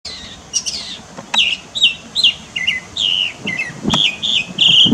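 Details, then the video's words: Mockingbird singing in Varadero, Cuba, in September 2023: a run of varied, high, chirpy and slurred phrases, each note short and often repeated in small groups, delivered continuously with faint low background noise. "Пересмешник пение, Варадеро, Куба / Mockingbird song, Varadero, Cuba"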